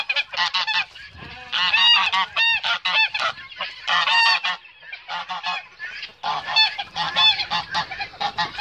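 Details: Male goose honking while it defends its female: dense runs of harsh, nasal honks overlapping one another with hardly a break.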